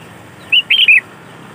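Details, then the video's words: Sooty-headed bulbul song used as a lure for other bulbuls: a short loud phrase of three clear bubbling whistled notes, over quiet background hiss. "Suara Burung Kutilang Gacor ASLI Tanpa isian, Ampuh untuk Pikat Kutilang bikin kutilang Ribut gacor"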